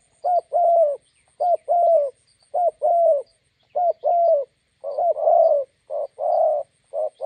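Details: A decoy spotted dove meets a wild bird beside a road in Gia Lai, Vietnam. Paired soft coos, a short note then a longer hooting one, come in a fairly regular run about every second.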